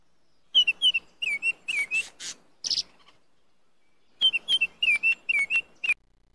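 A Baltimore oriole sings two quick phrases of rich, flute-like slurred whistles, with a few harsh buzzy notes mixed into the first phrase and a short pause between them.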